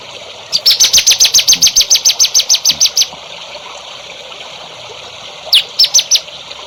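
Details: Songbird in a training recording for young songbirds: a run of about sixteen sharp, high chirps spread over two and a half seconds, a quiet pause, then four more chirps against a soft hiss.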